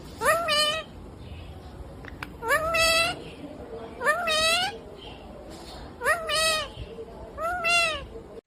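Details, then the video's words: Talking pet rose-ringed parakeet, said to say mummy papa, gives five short harmonic two-syllable phrases with a rising-falling contour, separated by pauses of about a second and a half, with steady low room noise beneath. "Natural Sound of Talking Ringneck Parrot 🦜 Mitthu😍❤️ मम्मी पापा बोलने वाला तोता मिट्ठू🦜"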